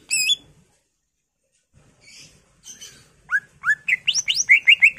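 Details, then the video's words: Gacor full isian song of a greater green leafbird, a pancingan lure: one loud whistle, a pause, soft buzzy notes, then quick rising whistled phrases that speed into a loud repeated chatter. "PANCINGAN CUCAK IJO GACOR FULL ISIAN"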